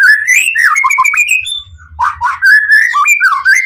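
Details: White-rumped shama in a cage giving an intense song to provoke rival shamas, with quick, fluid whistled phrases that rise and fall, a brief lull, then renewed warbling.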